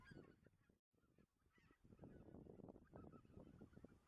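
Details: Greater white-fronted geese at night under the spring moon, 25 March 2013, Dannenberger Marsch, give a dense chorus of overlapping honks and yelping calls, several a second, with a brief dropout near the start.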